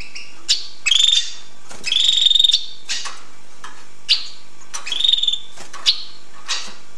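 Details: Hooded siskin song: buzzy, drawn-out wheezy notes alternating with sharp clicks and short chips, several phrases in a row, with little background noise.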